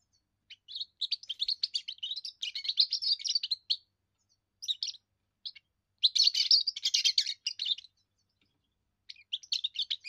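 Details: A young European goldfinch sings its first song, meant to warn rivals off its area and impress females, in long bursts of rapid, high chattering twitters separated by gaps of a second or more.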